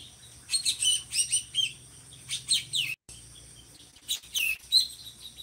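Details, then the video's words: Energetic drongo song from a bird kept to tutor other songbirds: clusters of sharp high chirps and falling slurs, a brief cut of silence, then more bright twittering bursts. "SRIGUNTING GACORRR"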